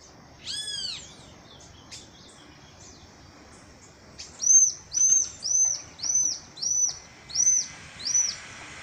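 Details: Chestnut-capped blackbird singing in nature: a few looping arched notes, then a steady series of seven bright, high, clipped whistles about half a second apart over a soft background hiss.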